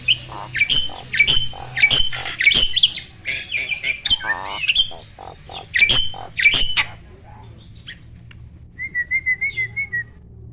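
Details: Black-winged starling song used as a training recording for a quiet caged bird: loud harsh chattering notes and whistles around 2–4k, then a clean repeated warbling trill near the end, low hum beneath.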